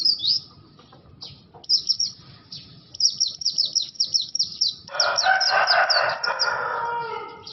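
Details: Caged Oriental white-eye, bustomi or buxto type, giving an unusual sound: a fast run of high, thin chirped notes repeated several times a second, then a broad harsher buzzing burst joining in near the end.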